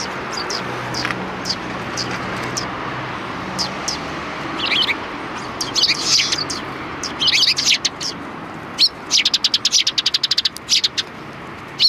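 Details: A welcoming party of sparrows chirps at a person by the rear entrance of a Tenmangu shrine, 25 February 2020. Scattered tweets build into loud, rapid runs of sharp chirps toward the end.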